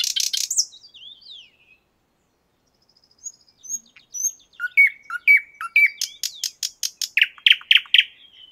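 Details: Common nightingale singing in the 50-letiya Oktyabrya park in Moscow: a varied phrase of buzzy notes, a brief pause, thin whistles, then a loud, rapid run of repeated sharp notes.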